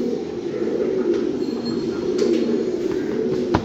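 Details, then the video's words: Fancy pigeons coo in a low, steady, overlapping murmur, broken by a couple of faint clicks and one sharp tap near the end. "fancy pigeons"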